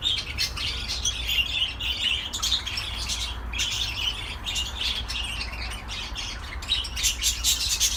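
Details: Budgerigar warbling in uneven bursts: chirps and raspy squeaks crowd together, then pause briefly before resuming, with a low hum throughout.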